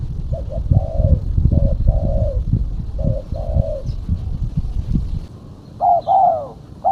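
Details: Female spotted dove call used to lure birds: short coos followed by long flat notes in three phrases, then brighter arched notes at the end, over heavy low rumbling noise.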